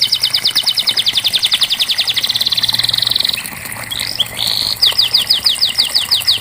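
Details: Canary singing on a training track for canaries that won't sing: a long fast rattle of high pulsed notes, a pause with soft slurred notes and a buzzy trill, then crisp downward-sweeping whistles.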